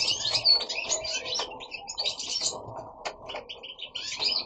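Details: Several goldfinches kept at home singing: bursts of fast, tinkling twitters and chirps, broken by short pauses, with faint low background hum underneath.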